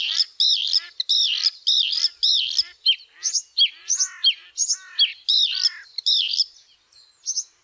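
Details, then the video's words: White-spotted bluethroat (Luscinia svecica cyanecula) sings a rapid, varied run of high, ringing, buzzy notes and sharp chirps, phrases tumbling one after another with brief pauses. "White-spotted bluethroat | Luscinia svecica cyanecula"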